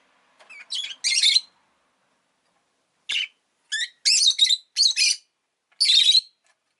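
A rosy-faced lovebird gives shrill, harsh chirps in short bursts, about seven over several seconds, some doubled, with brief silences between.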